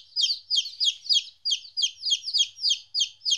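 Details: Fourteen-day-old baby chickens away from their mother for the first time give loud, high peeps that slide downward, evenly repeated about three times a second, in clear, quiet surroundings.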